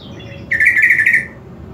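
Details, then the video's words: Greater green leafbird song meant to provoke other leafbirds to fight: a soft high note, then a loud, fast warbled trill of about three-quarters of a second, over faint background hum. "KICAUAN CUCAK IJO SAAT DIMASTER AUDIO"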